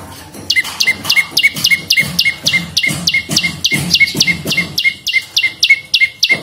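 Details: Bar-winged prinia giving steady 'ceng' lure calls: a continuous, rapid run of two-part notes, each a bright high downslur followed by a lower clipped tick, repeated over three times per second with faint background hiss.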